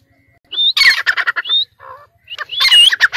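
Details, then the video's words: Dakni teetar francolin, caged on a perch in Sindh, utters two short bursts of harsh, scratchy calling, each opened by a rising whistle, with a soft low note between. "Pinjry par betha huay teetar ki awaz"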